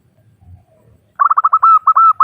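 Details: Female zebra dove, local bird, calling males with a rapid rolling series of short cooing notes that settles into longer, steady notes. Soft low murmurs come first.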